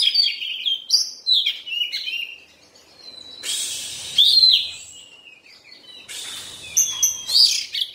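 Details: Molting Oriental magpie-robin (kacer) sings bursts of shrill, jumbled chirps and squeaks, separated by quieter gaps with a long thin whistle. Loud bright phrases return near the end, over faint background hiss.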